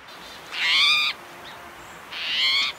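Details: Spotted Towhee giving two harsh, buzzy mew calls, the call made when agitated, about a second and a half apart, each slightly rising like a thoughtful question.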